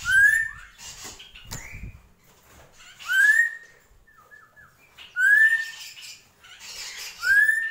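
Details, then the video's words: Drongo, called srigunting krantil, in the song style named gentolang: loud clear whistles rising then levelling off, given about every two seconds, with softer scratchy notes and faint high chatter between them. "SRIGUNTING KRANTIL | GENTOLANG"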